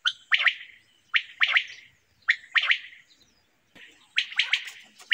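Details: Common quail singing in a summer meadow: sharp, liquid three-note phrases, each a quick clipped note followed by two more, repeated roughly once a second with brief pauses between, on a quiet background.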